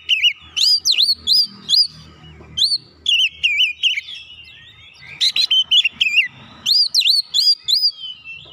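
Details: Oriental magpie-robin singing to goad rival birds: continuous loud, fast whistled phrases that swoop up and down, broken by one short quieter gap before resuming.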